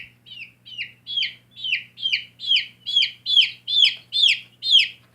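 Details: Young backyard chicks peeping, high falling chirps starting softer and growing louder, repeated a little over twice per second, with a faint steady hum underneath.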